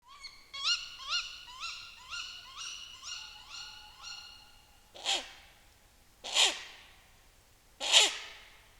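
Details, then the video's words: Wild Tawny owl in a Northern Romanian forest at night, where Ural owls also call, gives three harsh, hoarse shrieks about a second and a half apart, after a run of eight quick, clear, ringing notes from another bird. "The sounds of Tawny and Ural owls"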